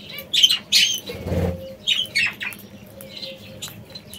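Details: Aviary parrots in Italy giving sharp chirps and short squawks in scattered bursts, with a brief flutter of wings in the middle and a faint thin whistle near the end.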